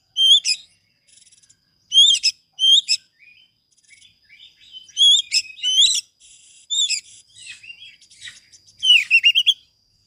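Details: Oriental magpie-robin master song for coaxing birds out of silence: separate short loud chirped phrases every second or so, soft twittering between them, and a final rapid trill of repeated notes.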